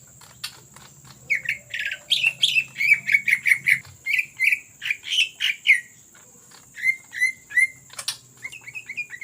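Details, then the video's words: Energetic greater green leafbird song used as a lure, mixing squawky harsh notes with clear whistled phrases, rapid rattling bursts then spaced repeated whistles, over a constant high-pitched whine in the background. "CUCAK IJO GACOR Ngetrok Cocok Untuk Pancingan"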